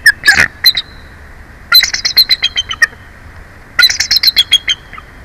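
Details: Bald eagle on its Big Bear Valley nest, filmed by a live nest camera during a changeover between adults, calls in three bursts of fast high chittering notes separated by about a second of quiet hiss.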